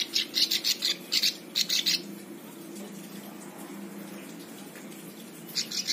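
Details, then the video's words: A plain prinia (ciblek sawah) gives quick bursts of high, buzzy, scratchy notes for about two seconds, then a pause before starting again, over a low steady hum; used as a tutor song for other birds. "Ciblek sawah cocok untuk masteran semua burung"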